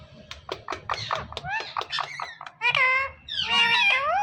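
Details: A talking pet parrot indoors in a small room, giving a run of quick speech-like syllables with bright, high formant bands, then longer, clearer word-like phrases near the end.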